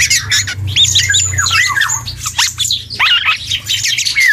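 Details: Young black-and-yellow oriole learning to sing: a rapid, jumbled run of squawky chattering notes and short slurred whistles, rising and falling without a set pattern, with a faint low hum underneath.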